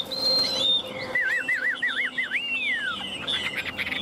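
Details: Newly arrived tame Chinese hwamei singing evenly and confidently, perched in its cage, from Vietnam: long high whistles, then a run of rapid wavering trills sliding downward, ending in a falling slur, with faint background hum.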